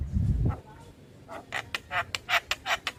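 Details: Javan myna song used as a lure for mynas that have stopped singing. A low thump opens the clip, then a quick series of rough, scratchy notes follows, each under a quarter second.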